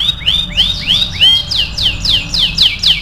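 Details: Canary singing as a training song for teaching other birds: series of bright slurred whistles sweeping down from high pitch, then faster repeated rising-falling notes about four per second, with a faint low hum behind.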